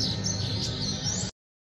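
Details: Captive-bred young double-collared seedeaters (a young coleiro and a young bahianinho) in a singing showdown sing a rapid, high, twittering phrase over a low hum of background noise, urged on by their keeper.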